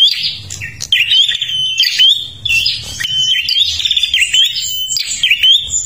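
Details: Prinia from Kalimantan singing hard to attract other birds: scratchy high chatter opens, then bursts of shrill chirps and rattling buzzes with clean whistled glides, with a short lull near two and a half seconds.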